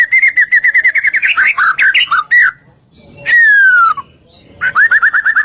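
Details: Singing white-rumped shama, a recording meant to provoke rival shamas into calling back: a fast rhythmic series of mid-pitched notes, a pause, one long falling whistle, then another quick repeated note series.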